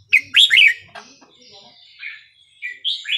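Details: Burmese-style 3-4-5-6 song of a red-whiskered bulbul, used for tutoring young birds and rousing others: quick, loud, rolling notes open the phrase, then softer, lilting whistled notes after a short pause.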